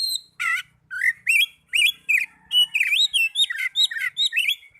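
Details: Oriental magpie-robin song played to prompt lazy caged birds to sing: quick run of rich whistled notes, rising and falling, mixed with scratchy buzzes, almost without pause.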